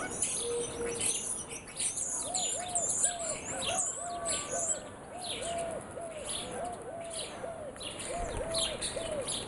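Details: Several birds singing together in the morning, with high, quick chirps and twitters scattered throughout and a lower arched note repeated steadily about twice a second.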